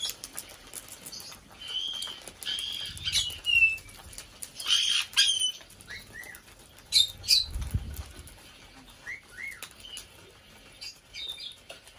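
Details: Pet female Black-headed parrot, five years old, kept in a bird room and recorded indoors on her birthday, 9 February 2022; short squeaky whistled calls and sharp chirps come in scattered bursts, with rustling, wing flutters and low thumps.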